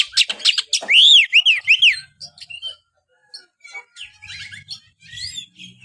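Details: Oriental magpie-robin song to prompt a silent kept bird: a loud opening of repeated arched whistles and quick chirps, then softer scattered notes over a faint low hum.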